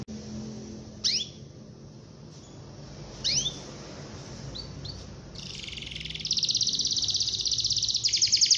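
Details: Canary song used to prompt young canaries to sing: a few isolated upswept chips separated by quiet, then from mid-clip a loud continuous high rattling trill that persists to the end.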